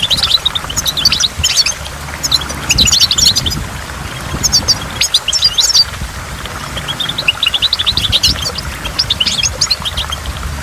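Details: Twittering goldfinch song near a waterfall, coming in two or three lively bursts of rapid high chirps with short pauses between them, set against continuous water noise.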